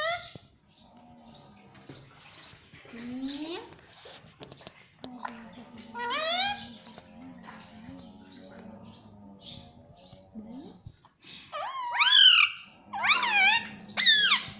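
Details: Talking parrot kept as a pet, saying "mummy": scattered speech-like syllables over a low steady hum, ending with three loud, high, bending cries close together.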